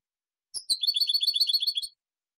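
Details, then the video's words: Goldfinch (European) song for silvestrismo: a fast, even trill of bright, liquid notes, around ten per second, lasting over a second, with a faint tap at the start. "SILVESTRISMO. CD DE JILGUERO Nº 1"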